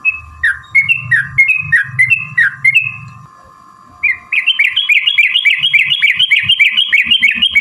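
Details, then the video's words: Yellow-vented bulbul fighting song, a long 'ropel' lure for provoking singing: first a series of slurred whistled notes over a steady low hum and thumping, then after a pause a fast, dense chatter of high bubbly notes. "trucukan gacor TARUNG ROPEL PANJANG"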